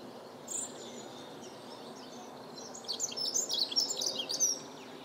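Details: Dunnock (Prunella modularis) singing at Botanischer Garten Rombergpark on 17 March 2012: a brisk, high, jingling warble of about two seconds after a single thin note, over steady background hiss.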